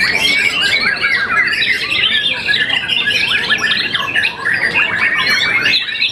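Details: Once-moulted young white-rumped shama, a contest winner, pours out a busy, high varied song of sharp chips, bright whistles and dense trilled bursts, continuous throughout with a brief dip near the end.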